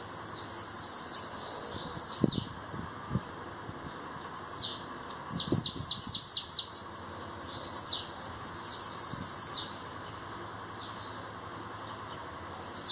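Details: Bananaquit singing in repeated bursts of rapid, high, hissing downward-swept notes separated by short pauses, with a few low knocks and thumps in between.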